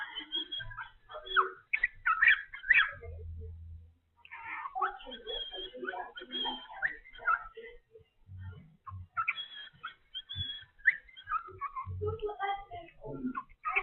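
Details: A cockatiel in the Philippines whistles and chatters in quick, uneven bursts of bright, warbling notes.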